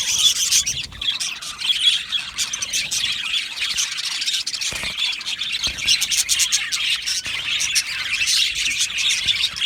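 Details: Budgerigars chirping and singing in an aviary colony, a loud opening burst then a steady mass of overlapping high tweets, clicks and squeaky notes from numerous birds.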